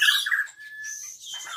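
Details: Asian pied starling, caged and singing without provocation in a song stocked with Cililin imitations: a brief burst of harsh chattering notes followed by a thin, level whistle and scratchy fragments.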